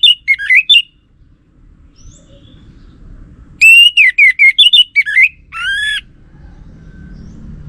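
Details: Orange-headed thrush lure song, the kind males are said to answer: quick dipping whistled notes, a silent gap of nearly three seconds, then a rapid run of bright notes ending in a buzzy note.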